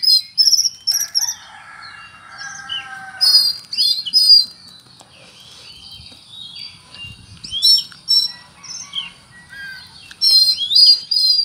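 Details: An Oriental magpie-robin sings with full cricket mimicry: bright chirps and a buzzy trill, several loud ringing notes, a quieter pause with soft twitters, then renewed sharp chirping bursts.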